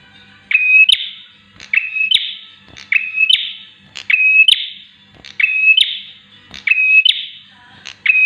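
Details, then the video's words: Repetitive bar-winged prinia song meant to tutor or provoke caged prenjak: click, held whistle and scratchy rising buzz, looping about every second across seven phrases, with a quiet background hum. "PRENJAK SIAP UNTUK MASTERAN ATAU PANCINGAN TERAPI BURUNG PRENJAK"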